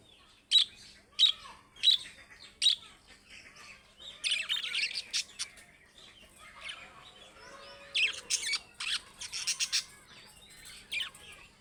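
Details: Budgerigars, Australian parrots, call with a run of four sharp evenly spaced chirps, then dense buzzy chattering and warbling from several birds, with more bursts of chirps later.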